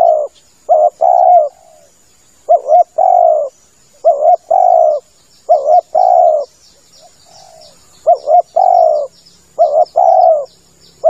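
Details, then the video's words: Spotted dove cooing, used to lure birds: about five phrases of a quick doubled wavering note and a long falling coo, repeated at roughly two-second intervals, with faint high chirps from other birds behind. "SUARA PIKAT TEKUKUR cocok buat nyanggong . suara tekukur"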